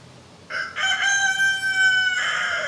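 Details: Rooster crowing among free-range hens foraging for bugs in the woods on a spring afternoon. A single strong crow opens with a short, harsh first syllable, sustains a clear tonal middle, and trails off hoarsely.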